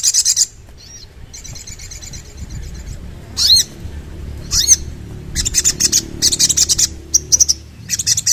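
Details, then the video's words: Sooty-headed bulbul song: bursts of rapid buzzy high chattering notes alternating with short clear whistled notes and brief rising slurs, repeated through the clip over a low steady hum. "Sogon Langsung Bunyi Dengar Ini!!!"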